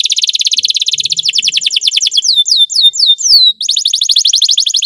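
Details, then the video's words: Belgian canary song for canary training: rapid rolling trill of falling whistles, then slower looping slurred notes, a brief break, and the fast rolling trill returns. "Belgian canary singing makes your canary sing"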